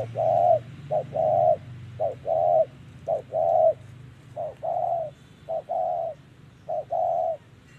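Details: Close spotted dove cooing in 'thổ' voice style during trapping, about seven phrases in quick succession, each a clipped coo then a longer mellow coo, over a low background hum.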